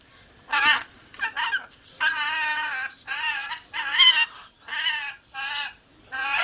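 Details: Pet rainbow lorikeet (Trichoglossus moluccanus) talking and swearing: about seven raspy, harsh, speech-like phrases, each half a second to a second long, with short pauses between.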